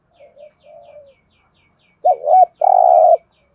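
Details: Spotted dove giving a thúc gù coo: soft, low, falling murmurs, then a sharp double-humped note followed by a long, steady, strong coo. The surroundings are otherwise quiet.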